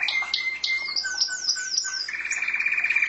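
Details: Canary kept as a pet, singing a series of high descending whistled notes over a steady tone, then breaking into a rapid rolling trill.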